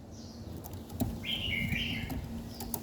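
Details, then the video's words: A bird sings in the morning: one clear, rich warbled phrase of about a second, rising then falling slightly, with faint thin chirps earlier and a steady low hum throughout. "Buổi sáng nghe chim hót chơi"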